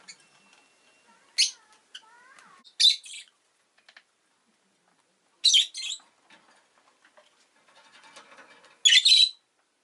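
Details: Pet rosy-faced lovebird giving sharp, harsh high chirps in short bursts, five or so spread over the span, with softer twittering and faint clicks between them.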